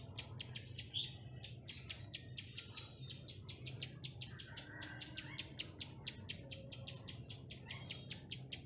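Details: Chestnut-capped laughingthrush song used as a lure to call in wild birds: crisp, clicking high notes repeated about four times a second in a steady run, with a few brief whistled slurs between them and a low hum behind.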